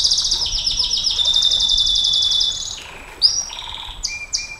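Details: Canary pouring out a long, rapid, high rolling trill for nearly three seconds, then breaking into short, varied high notes and slurs, over faint low background noise.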